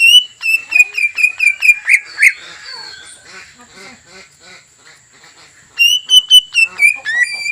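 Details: Greater green leafbird lure song meant to agitate a rival into singing: rapid repeated whistled notes about four per second, softer jumbled chatter in the middle, then loud whistled phrases resuming near the end.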